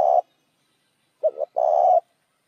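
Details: Spotted dove lure call to bring in other doves: the tail of one long coo, a pause, then a full phrase of two short hollow notes and a drawn-out rough coo.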